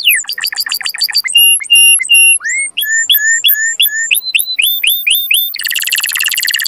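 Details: Canary singing to encourage mating and to teach young birds to sing: quick downsweeping notes, then buzzy tours, a run of upward-rising whistled notes, and a harsh rapid rattle at the end.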